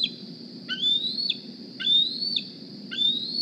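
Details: Morning begging at the Decorah eagle nest: a young wild bald eagle carrying a GPS transmitter gives slow, drawn-out whistled squeals that climb steadily and then break downward, about one per second, with a steady background hum.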